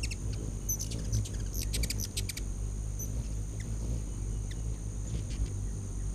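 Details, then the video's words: Several hummingbirds feeding at a back-deck feeder in late August 2019. A cluster of rapid, thin, high chips comes early, then scattered single ticks, over a constant low humming drone. "Hummin' Hummingbirds"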